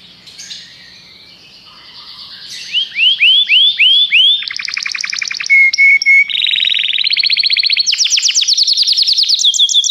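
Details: Singing canary moving through varied tours: looping upslurred notes, a dense rattling burst, a pure whistled note, then fast high trills repeated at different pitches.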